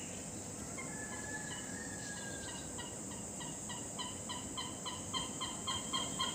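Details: Great hornbill in Assam, India: a faint series of short, harmonic notes that starts slowly and speeds up to about four per second, growing louder toward the end, over a steady high hiss.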